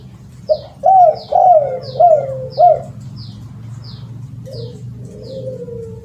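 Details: Spotted dove lure call: a run of five loud, mellow cooing notes with rising-falling inflection, then softer drawn-out coos, while a faint high descending chirp from another bird repeats steadily in the background.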